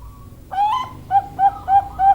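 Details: Female Bangkok-type zebra dove (perkutut) singing: a rising, slurred opening coo followed by four short, clear, level cooing notes in quick succession.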